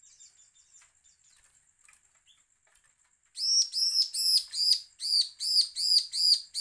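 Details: Threatening call of a bar-winged prinia, meant to goad rival birds into calling. Faint chirps come first, then a fast run of about ten loud, buzzy, ringing notes, each one arched, following one another almost without pause.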